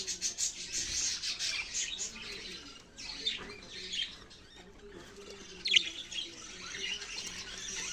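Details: Budgerigars keep up a high, scratchy twitter of quick chirps and warbles, with brief pauses near three and five seconds and one sharp, loud squeak just before six seconds.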